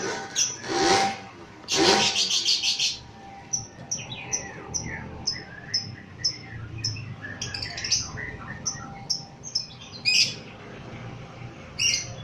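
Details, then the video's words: Lovebird worked up by a lure recording, with two loud harsh chatter bursts early, then a long string of short clicking high pips and scattered squeaky notes, a faint steady tone running throughout. "Love bird emosi pas u pancingan 100% ampuh"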